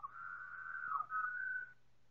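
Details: Slowed recording of four Pied Butcherbirds in chorus: one drawn-out, smooth whistled tone lasting nearly two seconds, slightly wavering, with a brief dip before rising and holding steady.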